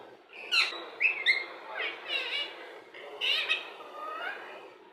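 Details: Indian ringneck parrot speaking: harsh, breathy word-like utterances with a few sharp squeaks between them, uneven in rhythm and loudness.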